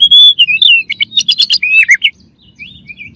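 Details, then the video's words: White-rumped shama giving a loud, fast song: a long clear whistle, then quick slurred notes and a rapid chatter, trailing off into softer whistles. "KACER LAWAN AUTO EMOSI DENGER INI"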